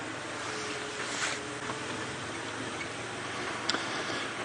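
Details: Continuous broadband hiss with a low engine hum and a few faint clicks, no animal voices.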